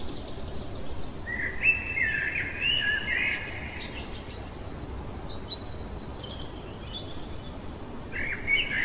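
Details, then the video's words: Common blackbird in the middle of the night: a rich, warbling phrase of rising and falling whistles, a pause with scattered faint high notes, then the start of another phrase; steady background hiss. "Merle chantant au cœur de la nuit"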